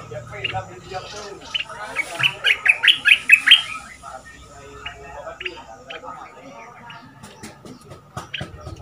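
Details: Decoy Red-whiskered bulbul from southern Thailand, caged two months, 'double' song style used to train young birds: a rising string of clear chirped notes mid-clip amid scattered clicks and background clutter.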